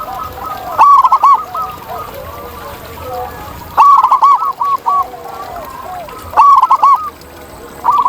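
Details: Local zebra dove (perkutut) singing in the wild, used as a master song for training birds: loud bursts of rapid, pulsed cooing notes about every three seconds, with softer cooing from other doves between.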